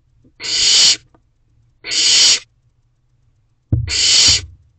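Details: Wild barn owl owlet inside a nest box, 7 May 2023, 8:39 pm, working to swallow a whole rabbit; three rasping, noisy hisses, each about half a second long, spaced roughly every one and a half seconds, with a low thump before the last.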